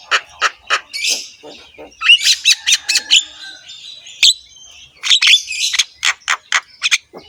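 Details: Javan myna in full song with a rough voice and varied phrases, a master recording for other mynas: series of short harsh chips, then a burst of squawky notes and rapid repeated clicks.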